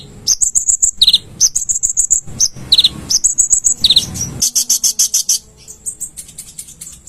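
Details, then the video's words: Konin song on a master recording used to train cage birds: fast strings of high, sharp chirps and short buzzy trills repeated several times a second, ending in a dense high trill. "burung konin gacor"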